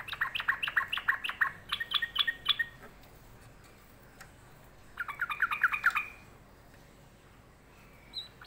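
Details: Sulking sooty-headed bulbul giving two bursts of rapid, scratchy chattering notes about three seconds apart, each burst lasting around two seconds, with a faint note near the end.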